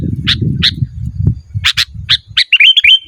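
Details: Sooty-headed bulbul singing vigorously, used as a lure and master recording: bright chip notes over loud low rumbling, then a fast series of rising slurred whistles at the end.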